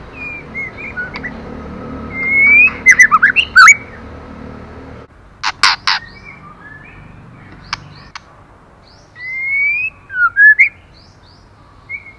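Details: Female white-rumped shama stimulating the male. Rising whistles break into a fast tumbling run of notes, with sharp clicks between phrases and a loud broadband noise in the first seconds.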